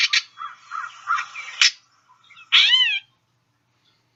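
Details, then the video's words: Gray Catbird ratchet call: harsh, rasping chatter in uneven bursts over about a second and a half, then a single slurred, nasal mew-like note. "And the final call that I'd like you guys to know about the gray catbird is the kind of ratchet call that they produce."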